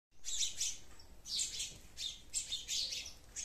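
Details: Sparrows in a garden: bright, high chirping in short clustered bursts, about five bursts within three and a half seconds, each a quick run of sharp tweets, over a quiet low background hum.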